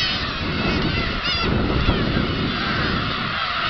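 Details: Flock of black-tailed gulls taking off together at Kabushima, Japan, on 13 March 2016; a dense chorus of overlapping mewing, nasal calls with low rumbling wind noise throughout.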